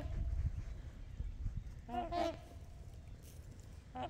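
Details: A Trumpeter Swan on Horseshoe Lake, heard from the beach, gives a short, nasal, horn-like honk, then another brief call two seconds later, over low wind rumble; geese and other birds also call nearby.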